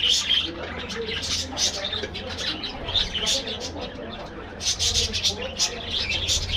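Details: Aviary budgerigar colony giving rapid scratchy chirps and short squawks in overlapping bursts, the chatter rising and falling in waves above a faint low hum.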